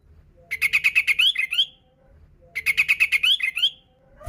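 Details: Sooty-headed bulbul in persistent song, used to lure other bulbuls: two bursts of rapid, bright chirps, each a run of about eight quick notes ending in rising warbled slurs, separated by a short pause.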